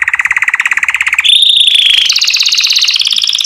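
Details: Canary song for training chicks to sing: a fast, even pulsed trill that jumps to a thin high whistle, then to a higher rapid rolling trill.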